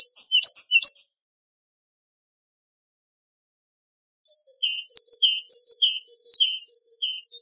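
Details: Great tit (Parus major), song.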